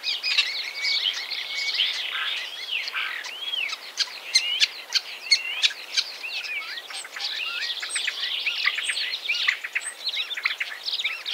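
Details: Common starling (Sturnus vulgaris) singing a dense, varied song: thin whistled slurs rising and falling, interspersed with sharp clicks and rattling bursts, continuous over about eleven seconds.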